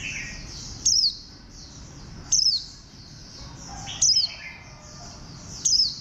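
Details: Warbling white-eye of bantam-like posture utters four bright, descending high chirps at roughly one-and-a-half-second intervals. A steady wash of faint, high chattering runs underneath.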